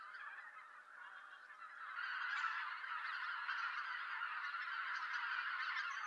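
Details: Greater White-fronted Geese arriving at their roost in November in Japan, in daylight before dusk: a dense chorus of overlapping high, yelping honks from many birds, a continuous clamour swelling after two seconds.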